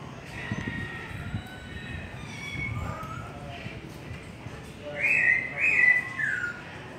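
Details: White-rumped shama singing a long song: low murmuring notes, then a loud burst of clear whistled, slurred phrases near the end, rising and falling in quick succession.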